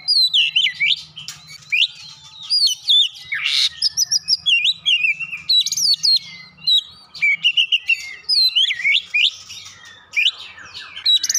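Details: Oriental magpie-robin (kacer) song stuffed with Java sparrow (gelatik batu) phrases: lively chattering and whistled notes in rapid succession, one harsh rasp early on, with a faint low hum in the background.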